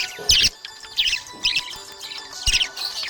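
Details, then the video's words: A happy budgie chirps in short, bright, raspy bursts about every half second, high-pitched and chattering, over a low steady background tone. "Happy budgie chirping sound"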